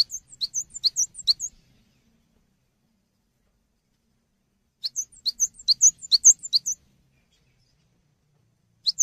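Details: Cinereous tit used for tutoring songbirds gives two phrases of fast, high, alternating chirping notes a few seconds apart, then starts a third at the end; otherwise quiet.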